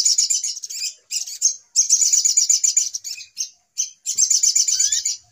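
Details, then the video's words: Little spiderhunter, used as a trapping lure call, giving rapid, high-pitched chattering bursts, a busy stream of sharp notes broken by brief pauses. "Suara Pikat Ribut Burung Sogok Ontong"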